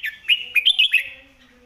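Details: Red-whiskered bulbul master song for tutoring: one tight, bright phrase of five loud chirped notes, each a quick rising-falling slur, delivered in under a second, then a trailing whistle.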